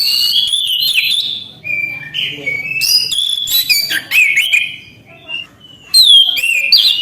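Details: Orange-headed thrush singing continuously in gacor manner, pouring out varied whistles, chirps and slurred notes in quick succession, with a brief lull before a final bright rising phrase.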